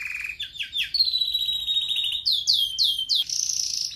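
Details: Red factor canary singing for training: a low rolling trill, a long high sustained trill, then three looping downslurred whistles and a bright high buzzy note.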